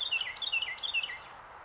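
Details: A Carolina wren perched on a branch in Pennsylvania in January 2024 sings a rapid run of rich, ringing phrases, each a quick downward-slurred tumble of notes, repeated about three times before fading out.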